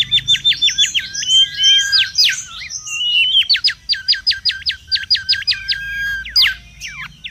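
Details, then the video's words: Wild mangrove whistler singing busily, used for luring and tutoring: jumbled whistles, then a steady series of quick downward-swooping notes repeated several times a second, with a few rising notes at the end. "SUARA PIKAT DAN MASTERAN BURUNG KANCILAN BAKAU RIBUT DI ALAM LIAR"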